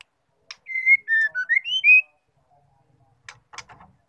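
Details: Female white-rumped shama call, used to provoke male shamas into singing: a quick run of six clear whistled notes, slurred and alternating up and down in pitch, then a pause and a few sharp dry clicks and ticks.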